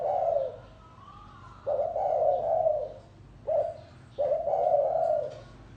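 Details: Gáy gù cooing of a spotted dove: soft, hollow coos in a repeating pattern, one short note then longer drawn-out phrases, roughly every two seconds, over a quiet low hum.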